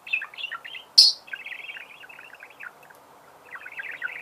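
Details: Budgerigar twittering: a steady run of soft, high, quick chirps, with one sharp, loud click-like note about a second in.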